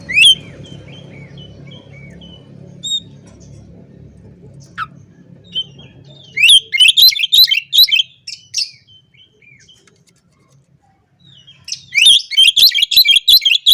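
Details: Oriental magpie-robin in lively, varied song meant to call out rivals and provoke them. Soft thin whistles give way to two loud bursts of rapid, harsh, chattering notes, mid-clip and again at the end, over a low background hum.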